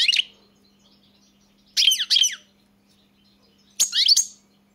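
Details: European goldfinch singing short, separate bursts of liquid, chattering twitter about two seconds apart over a faint constant low hum.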